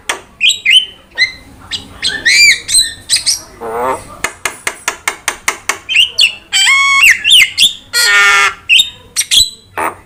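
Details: Javan myna song used to prompt and train birds: repeated sharp clicks, harsh nasal rasps and bright whistled slurs, in a busy, fast-changing sequence.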